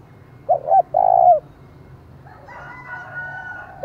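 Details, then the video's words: Spotted dove kept as a decoy to provoke rivals, giving one phrase of two short notes and a long falling coo, followed by faint higher whistled calls of another bird. "Chim Cu Mồi, tiếng thúc vang cả xóm mở lên kích bổi hiệu quả"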